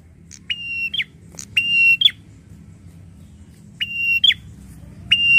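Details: Prinia riled up and calling, loud buzzy flat notes with clipped scratchy endings, in two pairs separated by a quiet gap of about two seconds, low hum underneath.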